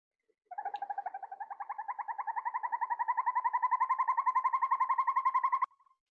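A Northern Hawk Owl gives a fast, rolling trill of about four notes a second. It holds a steady mid pitch, rises slightly, and runs for five seconds.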